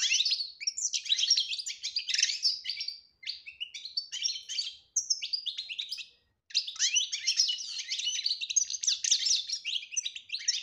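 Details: European goldfinch singing in the betbeta and tasfiya style, meant to draw a quiet goldfinch out of silence: dense, fast twittering of buzzy and liquid notes, with two brief pauses near the middle.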